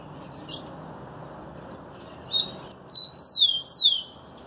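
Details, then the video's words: Rufous-collared sparrow sings after a single click: soft level whistles, then two strong, clear whistles sweeping steeply downward, with a low hum throughout. "TICO TICO BAD BOY um SHOW de CANTO!"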